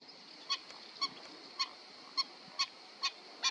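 Black-winged stilt giving sharp, nasal yelping notes, about two per second, seven in a row, over a steady faint background hiss.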